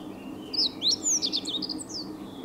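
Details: The first song of the season from a Japanese bush warbler: a quick run of high, bright, slurred notes rising and falling for about a second and a half, over a faint low hum.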